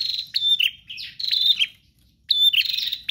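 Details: Insistent gacor singing from a bar-winged prinia: bright high notes and fast buzzy rattling trills in close succession, one short pause mid-way, over a faint low background rumble.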